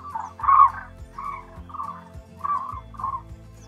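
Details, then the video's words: A white crane gives a run of hoarse, rolling bugled notes, about six in under four seconds, over a faint low steady hum. "The Majestic Call of White Cranes / Sounds of White Cranes"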